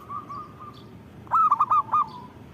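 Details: Vigorously singing zebra dove: a soft, level introductory coo, then a quick run of four or five crisp, evenly pitched staccato notes with brief gaps, ending in a drawn-out fading note, against low background hiss.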